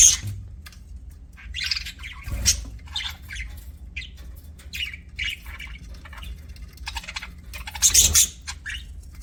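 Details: Budgerigars kept as pets give a scattered series of short scratchy chirps and squeaks, some rising, with louder harsh squawks near the start and end, over faint low-pitched background noise.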